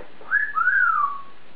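An African grey parrot gives one clear whistle in two parts: a brief rising note, then a longer note that swoops up and slides down. The room is quiet.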